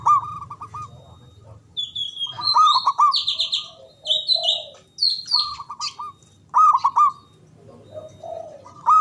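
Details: Local Javanese zebra dove with a big, loud, long-breathed voice, used as a lure to prompt silent doves to sing: stuttering rolled coo phrases repeated several times, mixed with bright chirps and twitters from other birds.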